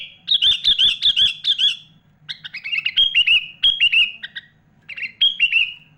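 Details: Sooty-headed bulbul delivering energetic song full of mimicked phrases from birds such as magpie-robin, for training young and adult bulbuls: clusters of loud looping whistled notes, repeated in short groups with brief gaps, over a faint steady low hum.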